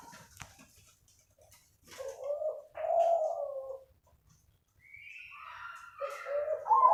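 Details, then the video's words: Kept zebra dove of the krosing style singing softly: short cooing phrases with a pause, then a higher rolling coo and a final wavering trill, faint clicks in between. "perkutut krosing suara syahdu"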